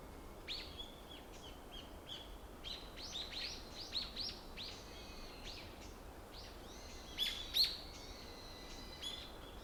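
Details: Forest birds singing on a February morning in 2025 at Ikuta Ryokuchi park, Kawasaki, Kanagawa, Japan: scattered high, thin chirps and short trills from several birds, irregularly spaced, with one louder burst near the end over steady low background noise.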